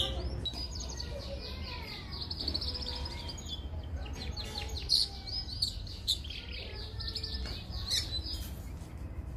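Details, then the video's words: Mosaic canary singing, offered for training young canaries; fast warbled trills and rolling whistled phrases, some rising sweeps, continuing over a steady low background hum. "Canary Singing Full training vedio | Canary baby singing Amazing Canary Mosaic Vedio for training"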